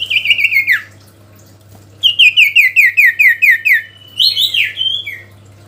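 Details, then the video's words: Sooty-headed bulbul in energetic song, calling a rival: a short run of falling notes, a pause, then about eight quick, evenly spaced downslurred whistles and a final warbled flourish, with a quiet low hum. "SIRTU GACOR MEMANGGIL LAWAN‼️ Suara Asli Alam Durasi Panjang"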